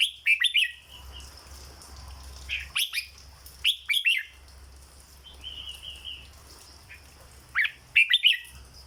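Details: Repeated bursts of 'dok' song from a caged red-whiskered bulbul: clipped, bright whistled notes in clusters of two to four, separated by pauses, with a softer drawn-out warble in between and a background hum.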